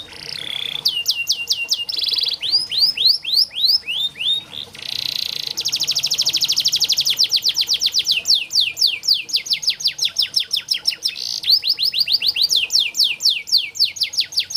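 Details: Canary song used as training and therapy audio for young canaries that are reluctant to sing: rapid trills of steep downward-sweeping notes alternating with buzzy rolled passages, changing tempo every second or two, continuous and loud throughout.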